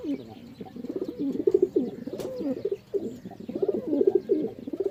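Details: Pigeons cooing steadily, bubbling low phrases with quick pulsed notes, one sharp click midway and a short dip in the chorus.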